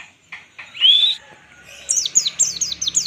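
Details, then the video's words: Pleci (white-eye) ngalas-style master song: a few short chirps and a long rising whistle, followed by a rapid series of high, sharply falling chip notes. "pleci full ngalas standar || zosterops"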